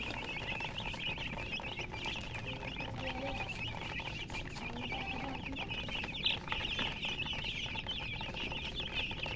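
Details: Many baby chickens chirping together, a dense continuous chorus of high, shrill peeps, each a quick downward-sliding cheep, overlapping without pause, with a steady low background hum.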